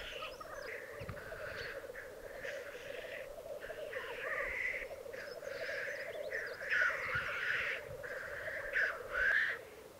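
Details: A black grouse display arena in the Piedmont Alps, Italy, 2022. A constant bubbling drone carries beneath repeated rasping hisses, some ending in rising whistled notes.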